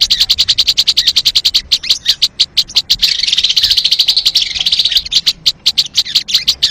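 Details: Crested jay, sound played to attract and catch birds: rapid rows of sharp high clicks, separate at first, merging into a continuous dry rattle in the middle, then breaking back into distinct clicks.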